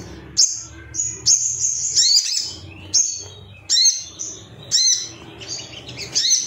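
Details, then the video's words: An agitated male Ruby-cheeked sunbird seeking rivals, used for bird-song training, utters separate bursts of shrill, very high chattering chirps about once a second, with quiet gaps between them. "MASTERAN SOGON AGAR CEPAT NGALAS GACOR ❗BAHAN TERAPI SOGOK ONTONG"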